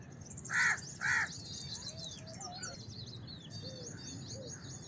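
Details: Two loud, hoarse caws from a house crow in quick succession, followed by steady high chirping and twittering from other small birds.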